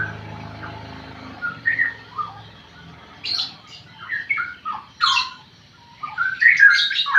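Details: Straw-headed bulbul under five months old practising its song: scattered short whistled notes and rougher, higher squawky bursts in irregular sequence, growing louder toward the end, with a low hum early on.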